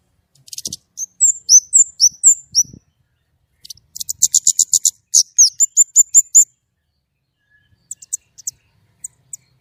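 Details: White-rumped shama singing in the gacor nembak style with a clear voice: bursts of very high, sharp, down-slurred whistled notes, rapid trills and repeated chirps in three phrases, with near silence between.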